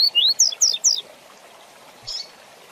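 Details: Rusty-collared seedeater, fast tui-tui zel-zel song for tutoring young birds: five quick slurred whistles, the first rising and the rest falling steeply, then a pause and one soft buzzy note.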